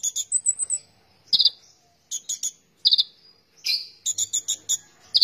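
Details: Konin, the oriental magpie-robin, in full gacor song: a quick run of high thin whistles, then repeated dense buzzy bursts and sharp chattering phrases separated by short silences, with a faint low hum underneath.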